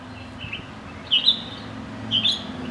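A red-whiskered bulbul sings short, bright, chirpy whistled phrases, spaced about a second apart, over a faint, steady low hum.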